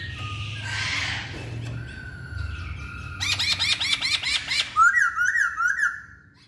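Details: Masked laughingthrush singing: a harsh rasping burst and a thin drawn-out whistle, then a fast series of sharp descending chirps about seven to the second, ending in wavering whistled notes.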